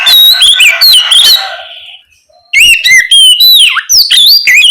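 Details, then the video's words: Oriental magpie-robin in ngeplong song at night, a lure for juvenile spotted magpie-robins; a busy phrase of high chirps and whistles fades out, then after a brief silence a fresh run of sweeping, dipping whistled notes. "Pancingan Kacer ngeplong malam hari ampuh untuk merangsang Kacer trotol agar lekas nyaut bunyi"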